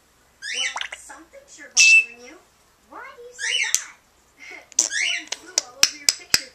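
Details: A female African grey parrot imitates a cat's meow for the first time, with nasal, wavering, rising-and-falling calls.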